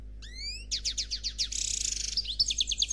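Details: Goldfinch singing in the black Khalwi style, described as without faults: a rising whistled slide, then fast descending chirps, a buzzy rolled trill and lively high twittering notes in quick succession.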